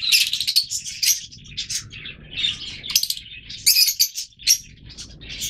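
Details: Busy chorus of scratchy, high-pitched calls from yellow Fischer's lovebirds, overlapping squeaks rising and falling in loudness over a soft low hum.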